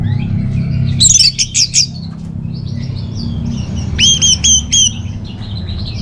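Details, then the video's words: Orange-headed thrush in captivity, its voice played as a lure and master song: two bursts of quick, clear whistled notes with sharp attacks separated by a quieter gap, with low humming underneath. "ANIS MERAH Dirumah Pasti Gacor || Pancingan sekaligus Masteran Burung Punglor"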